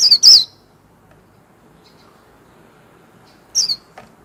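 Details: A warbling white-eye gives two high, slurred whistles, pauses for about three seconds in near silence, then adds one more descending whistle and a faint soft note, from its líu song.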